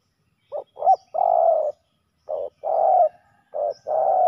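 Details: Male spotted doves fighting at a ground decoy: clipped notes followed by long, husky coos, in three uneven phrases, close and loud.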